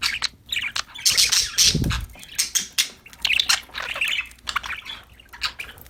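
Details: Playing budgerigars in a happy mood keep up a dense, steady chatter of high, squawky chirps and twitters with hardly a pause, plus one soft low thump partway through.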